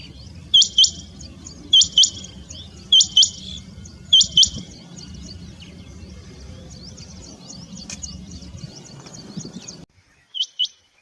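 A rain quail gives sharp, high double notes, 'whit-whit', repeated about every second, followed by softer chirping over a low background rumble.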